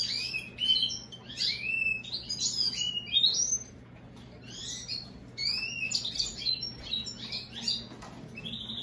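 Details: Song of an American goldfinch crossed with a European greenfinch: rapid high chattering phrases of rising and falling slurred notes and twitters, delivered in bursts separated by short pauses, with a faint constant low hum beneath.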